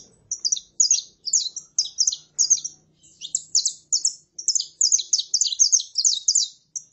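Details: Saffron finch, a female calling and a male singing, meant to excite a male. Rapid high chirps and trills run almost continuously, in dense bursts of several notes repeated about every half second with brief gaps.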